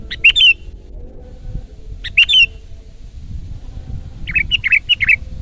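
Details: Sooty-headed bulbul, a loud 'gacor' singer used as a lure and tutor recording, gives two quick bubbly double-note phrases two seconds apart, then a run of five warbled chirps, over a soft low hum.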